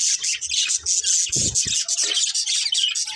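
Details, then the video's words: Budgerigars, a breeding pair, chirping: dense scratchy warbled chatter held high and continuous, with brief lower thumps near the middle. "Cute Budgies Chirping Sounds"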